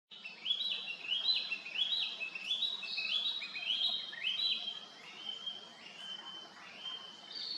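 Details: Narcissus flycatcher singing: a run of clear whistled phrases, each a short rising-then-falling slur, repeated about every half second, fading toward the end with faint background hum.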